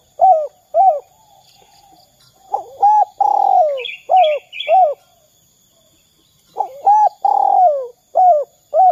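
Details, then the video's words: Spotted dove 'kuk 2' calling, used to prompt other doves to sing: repeated short hooked hoots and buzzy descending coos in two bursts, with a brief high twittering bird in the middle. "Suara Derkuku kuk 2 | Cocok untuk masteran derkuku lainnya agar bongkar suara dan gacor"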